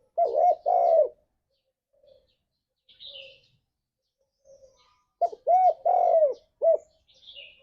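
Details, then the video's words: Spotted dove coos meant to stir caged doves into singing, forest style: two deep rounded coos, a long quiet gap with faint chirps, then a clipped series of four low hooting notes. "Suara Burung Tekukur Ini Pancingan Tekukur Gacor Suara Ngalas"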